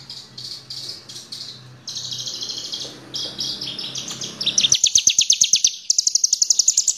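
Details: Horsfield's bush lark song used as a lure for other birds: high buzzy phrases at first over a low hum, then fast pulsed trills climbing higher in pitch.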